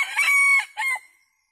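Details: Decoy red junglefowl rooster calling wild junglefowl in to feed: a long, steady, ringing crow note, then a shorter harsh burst that fades into silence.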